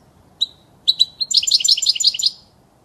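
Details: European goldfinch song used to teach chicks to sing; a few sharp, high chirps lead into a fast, liquid, tinkling twitter of repeated notes, loud and clear over a quiet background.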